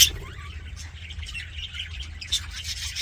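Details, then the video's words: Budgerigars sounding happy, giving busy overlapping warbles and short chirps, with a sharp opening squeak, a quick rising whistle early on and a bright squawk after two seconds, backed by a low constant hum. "HAPPY BUDGIE SOUNDS"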